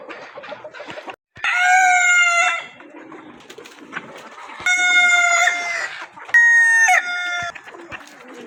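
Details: Several rooster crows in a row: three loud, harmonic calls, each held then falling away, separated by a few seconds of clucking and farmyard background.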